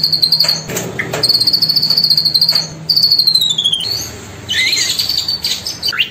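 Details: Cililin song, two birds pitted teacher against student at a bird farm in Bengkulu: rapid high trills in three bursts, the last gently falling, followed by varied squeaky chirps and upslurred whistles.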